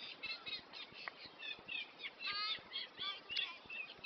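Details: At Cosmeston Lakes a reed warbler sounds from inside the reeds: a rapid, scratchy chatter of repeated chirps and short rising notes, loud and unbroken, with light background rustle.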